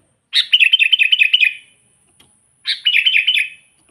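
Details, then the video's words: Sooty-headed bulbul singing to lure and provoke wild bulbuls: two long chattering phrases of rapid bubbly notes, about ten notes then seven, separated by a short silence. "suara burung kutilang gacor memanggil kutilang liar suara asli alami"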